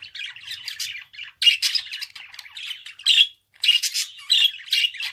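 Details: Budgerigar warbling in bursts of scratchy, buzzy chatter mixed with short bright squeaks and clicks, broken by brief pauses, with the loudest notes near the middle and end.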